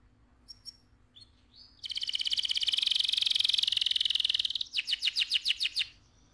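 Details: Canary (AF canary) in loud rolling song: a few scattered thin notes, then a long dense buzzy rolling trill lasting nearly three seconds, ending with a slower series of sharp repeated chips.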